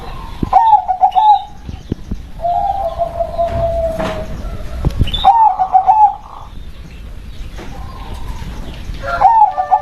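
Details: Local zebra dove: soft trilled coos with a long drawn-out low note, the bubbling phrase repeated about every three to four seconds, with light clicks and background rustle.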